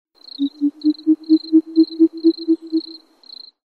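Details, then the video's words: Short-eared owl calling, giving a quick series of about twelve low, hollow hoots, roughly four per second, over a faint, thin high whine like an insect. "Sumpfohreule Ruf"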